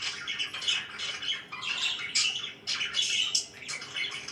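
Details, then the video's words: Budgerigars kept as pets chirping in the morning, continuous rasping warble and squawky chirps with brief dips in the flow. "CHIRPING IN THE MORNING"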